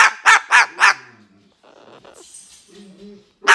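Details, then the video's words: Lacy, a female umbrella cockatoo about 9 years old, barks like the household dogs in Limington, Maine, USA, 4 March 2019: four quick harsh barks, a pause with soft low murmurs and hiss, then one more bark. "Barking Bird Makes Convincing Dog Noises"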